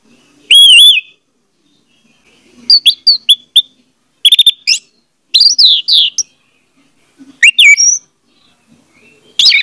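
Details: Orange-headed thrush song meant to coax a silent bird into singing: scattered bursts of slurred whistles and sharp buzzy chirps, separated by brief silences.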